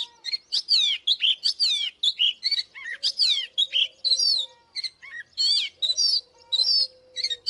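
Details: Oriental magpie-robin singing as a fighting lure, with steady loud phrases of looping whistled slurs and crisp chirps, roughly two per second. Occasional low, steady hums run beneath the phrases.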